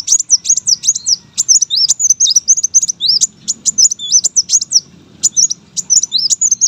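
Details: Lively tutor song of a brown-throated sunbird raised for song contests: nearly continuous high, jerky whistled notes in quick clusters, with faint low hum behind.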